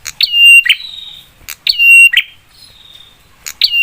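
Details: Agitating lure song of a prinia, aimed at drawing replies from rivals. Loud phrases repeat about every one and a half seconds: a crisp click, a level whistle, then a rasping burst, with a faint thin trailing note.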